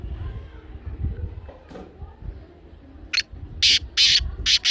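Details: Grating call of the black francolin (kala teetar), meant to get a caged pet francolin calling: after a low, murmuring start, a short note leads into four loud, harsh, closely spaced notes near the end.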